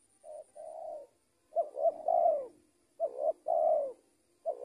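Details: Spotted dove kept as a trained decoy, soft then louder coo phrases: clipped introductory notes followed by drawn-out falling coos, three phrases in quick order, a thin high tone fading in the background.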